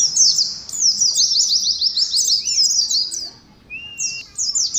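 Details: Oriental white-eye, caged, in ngalas competition song: a rushing stream of piercing, rapid downslurred chirps, a short dip in loudness, then a long even whistle before the twittering resumes.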